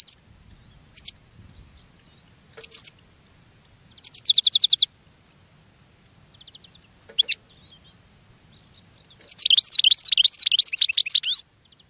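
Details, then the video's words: European goldfinch singing in a cage, attracting other goldfinches; bursts of quick tinkling notes, a buzzy rattling trill near four seconds and a long, rolling, warbled twitter at the end, faint low rumble beneath. "GOLDFINCH SINGING in a Cage and Attracting Other Goldfinches"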